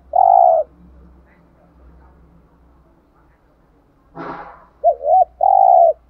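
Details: Spotted dove decoy cooing thúc gù: a long buzzy coo, then a pause over a low steady hum, a brief rustling burst, and a double hooked coo followed by another sustained coo.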